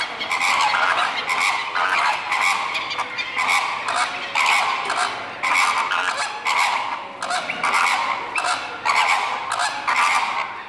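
Greater flamingos honk in a goose-like chorus, with nasal calls overlapping about once a second in a steady, busy din.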